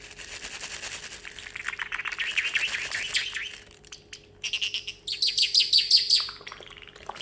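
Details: Excited pet parrotlet indoors after treats, making water-like sounds: a run of quick, rising squeaky chirps gives way to bright, buzzy, bubbling trills and sharp high ticks, fairly steady and busy throughout.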